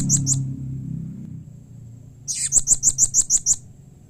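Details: Call of the blue-crowned hanging parrot, said to make all hanging parrots answer: two high chips, then a steady series of about nine shrill, evenly spaced notes, with a low humming tone beneath at first.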